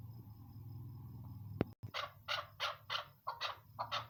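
A chukar partridge gives a quick run of harsh, clucking chuck notes, about three per second, after a steady low hum and a sharp click.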